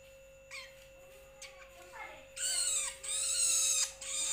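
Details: A young Long-tailed Shrike (Lanius schach) gives harsh, raspy, hissing calls in quick bursts after a few short, thin notes, over a steady electrical hum.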